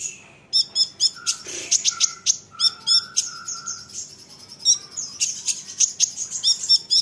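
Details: High, rapid ticking and chipping from an olive-backed sunbird, sung to make other sunbirds answer, about four notes a second, with short lower whistled notes between bursts.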